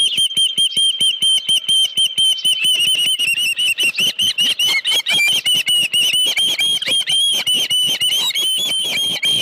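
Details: Osprey at the Dunrovin Ranch nest, 31 July 2018, morning, with a headless fish: loud, continuous stream of shrill chirping notes running together, slurred and overlapping with little pause.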